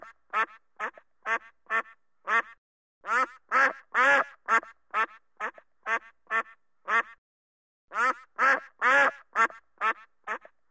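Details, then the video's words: Duck shouting in green-screen footage: steady bursts of rough, nasal quacks, about two per second, in three runs split by short silences. Louder, longer quacks stand out in each run. No other sounds. "duck sound, duck shouting"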